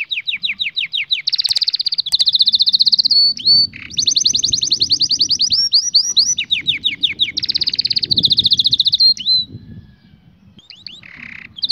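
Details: Canary song for training young canaries: rapid rolling trills and repeated swept whistled notes around high pitch, switching between tours every second or two, with a faint low rumble beneath and a brief pause near the end.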